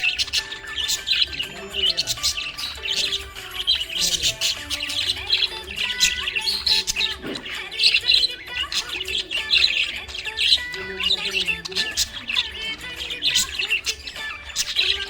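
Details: Budgerigar chirping happily: a long stretch of busy, warbling, high-pitched chatter with rapid squeaky notes, over background music.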